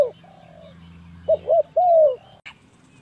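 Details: Spotted dove calling as a trapping lure, giving a drawn-out coo, then a phrase of two quick short coos and a longer falling coo, ending with a brief click.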